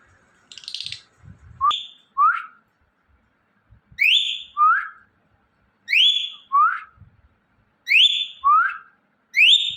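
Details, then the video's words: Indian ringneck parrot making natural sounds: paired whistled notes, a high upward-swept whistle followed by a lower falling one, repeated about every two seconds, with a few soft clicks and an early burst of scratchy noise. "Ringneck Parrot Chirping And Making Natural Sounds"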